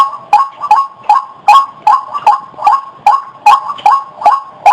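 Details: Lure call of a white-breasted waterhen for catching birds: a strong, regular run of hoarse, nasal double notes, roughly two and a half per second, rising slightly at each note's end, with a clean background.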